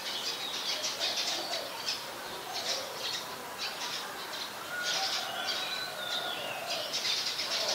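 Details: Brown-throated sunbird (Anthreptes malacensis) in Ubon Ratchathani, Thailand, on 15 January 2021, giving high, thin twittering and chipping notes in short bursts, with a few clearer whistled phrases near the end, over steady outdoor rustle.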